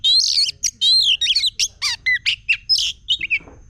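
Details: Agitated, quickly excited oriental magpie-robin singing fast: a dense run of loud, high, sweeping whistles and scratchy chirps in short bursts, each phrase separated by brief gaps.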